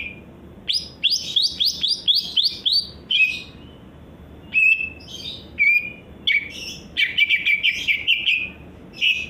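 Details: Song of a greater green leafbird kept by an Indonesian songbird enthusiast: a rapid run of sharp, repeated rising chips opens, followed by varied whistles, buzzy trills and a final chattering series.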